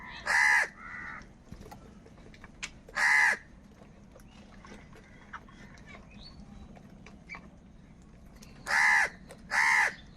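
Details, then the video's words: A crow, one of a large gathering of crows, gives four loud, harsh, rasping caws, two spaced apart and then a quick pair near the end, with fainter calls from other birds in the background. "Kaka sound and noises of Crow birds | Huge numbers of Crows Crowing and Crying sounds"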